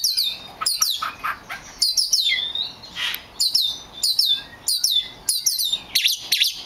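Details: A very rare black magpie robin sings a varied, fast string of sharp high whistles and chirps, many notes sliding up and down, delivered in bursts with short pauses between phrases.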